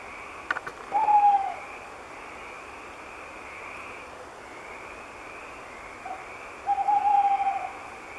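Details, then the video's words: Tawny owl singing in the dark night from high in an oak: a long, steady hoot, a pause of about five seconds, then a longer quavering, wavering hoot, over a constant soft hiss. "Chouette hulotte ( Strix aluco ) , chant dans la nuit"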